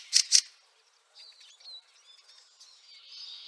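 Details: Fieldfare in snow at Liepāja, Latvia, in March 2023: two loud, harsh chack notes in quick succession open the recording, followed by faint, scattered high twittering.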